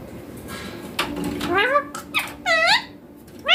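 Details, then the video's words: Baby green Indian ringneck parakeet speaking clear Hindi words such as "mummy papa". It gives a quick run of rising and arching harmonic syllables with brief gaps, ending on a sharp upward note, against faint room hum. "My Indian ringneck green baby parrot talking clear"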